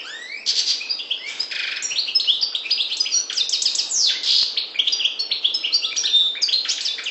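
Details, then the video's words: Sustained, rapid chatter of a Maghreb goldfinch of the subspecies parva: crisp chirps, fast repeated notes and tinkling slurs strung into a continuous bubbling phrase. "Chardonneret parva maghreb"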